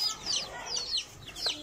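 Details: Playing baby chicks utter a handful of high, thin, descending peeps, spaced briefly apart, with a quiet low rumble underneath.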